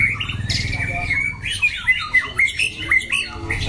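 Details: Caged competition white-rumped shama with a loud voice, delivering harsh bursts and sharp whistled notes in uneven pulses, with a low background rumble.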